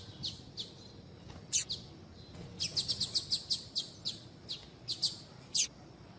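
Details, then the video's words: A female Double-collared seedeater, known as piadeira, calls to stimulate males: isolated high chips at first, then an evenly spaced series of sharp, piercing notes about every quarter second. "Fêmea de Papa capim piadeira para Esquentar Papa capim"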